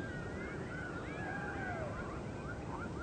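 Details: Hungry great blue heron nestlings begging for breakfast, slowed down: overlapping wavering, whining calls, one long downward-curving cry in the middle, set against a constant broad hiss like wind or water.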